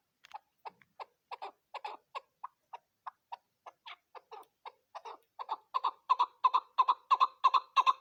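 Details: Female chukar partridge used as a hunting lure: a rapid series of short clucking notes around the middle register, repeated about three times a second, growing steadily louder and denser toward the end.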